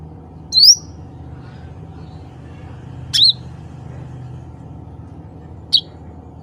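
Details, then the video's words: Calling cucak ranting, a bulbul, summoning its own kind: three short chirps spaced irregularly, one rising, the others sharper and slightly broken, heard over a continuous low droning hum. "CUCAK RANTING SUARA ASLI MEMANGGIL CUCAK RANTING LAIN"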